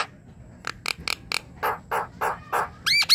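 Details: Javan myna song used as a lure to get a silent myna singing: a string of dry rasping clicks, then four harsh, noisy notes about a third of a second apart, ending in rising whistled notes.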